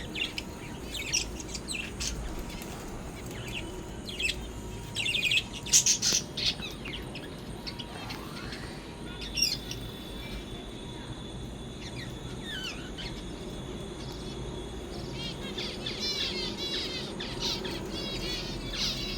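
A colony of zebra finches chatters with short, nasal, buzzy beeps from many birds at once.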